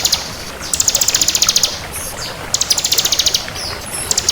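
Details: Ciblek kristal, a bar-winged prinia, singing energetically: bursts of rapid, evenly spaced high ticking notes, about a dozen per burst, in three runs separated by brief gaps, over steady background hiss.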